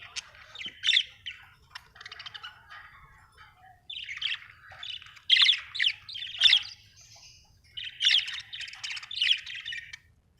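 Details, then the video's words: Budgerigar chirping happily in clustered phrases of harsh, buzzy squawks and chirps, bursts of three to five notes separated by brief pauses, clean quiet background. "Happy budgie chirping sound"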